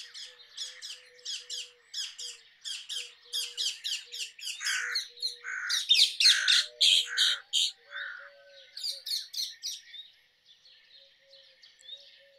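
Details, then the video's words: Rose-ringed parakeets screeching in a long, fast series of harsh notes, some higher and shrill, others lower and hoarse, with the calling fading away toward the end. "Rose ringed parakeet Song ! Rose ringed parakeet Call ! Rose ringed parakeet Sounds !"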